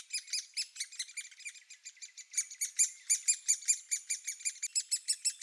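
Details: Nest-hole cacophony from Great Spotted Woodpecker young shortly before they fledge: dense, overlapping high squeaky chirps, uneven in rhythm, growing louder and quicker toward the close, over two per second.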